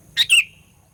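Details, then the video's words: A sooty-headed bulbul phrase used to provoke rivals, a bright sharp note and then a slurred whistle sliding downward, clear over a faint low hum. "Burung Kutilang Pikat Gacor Fighter, Paling Jago Mendongkrak EMOSI Kutilang LAWAN"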